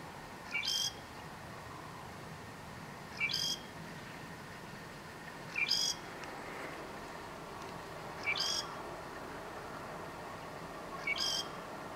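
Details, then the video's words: Southern grey shrike, north Lanzarote, October 2018, repeating the same phrase five times at steady intervals of about two and a half seconds, each a short rising pip joined to a grating, buzzy high note, over light background hiss. "(Southern Grey) Shrike song"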